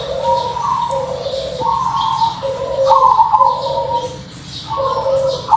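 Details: Zebra dove, a crossbred bird with a sweet local-style voice, cooing in a series of soft two-toned phrases, each with a quick trilled flourish, pausing briefly between phrases over a faint low hum.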